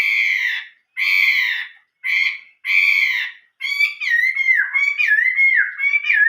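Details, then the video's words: Chinese hwamei singing in old-forest style: harsh buzzy repeated notes with rich harmonics, then a run of varied warbled whistles sliding up and down, loud and clear with no other sounds. "chim họa mi hót giọng rừng già"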